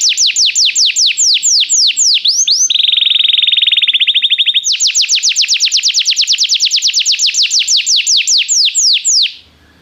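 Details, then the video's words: Belgian canary in song training, varied phrases: quick descending whistled sweeps, then a low buzzy rattling trill, followed by a long run of fast upward-flicking notes that stops suddenly into quiet. "Estimulação para que o seu canário cante com diligência - o melhor treino para canário belga"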